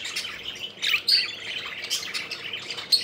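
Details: Several playful budgies fluttering around, giving busy overlapping twittering chirps with occasional sharper high whistled notes, steady chatter from start to finish.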